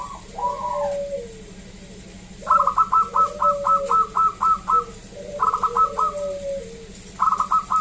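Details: Local zebra dove, recorded as a lure to draw song from other zebra doves: fast trains of clipped, bright notes about four per second, alternating with lower, drawn-out falling coos from a second caller, steady hum behind.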